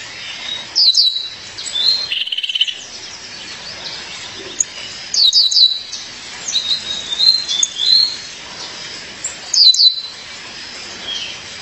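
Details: Repeated bright, high chirp phrases from a female violaceous euphonia calling her partner, plus a brief buzzy note near two and a half seconds and scattered quieter twitters across nearly twelve seconds.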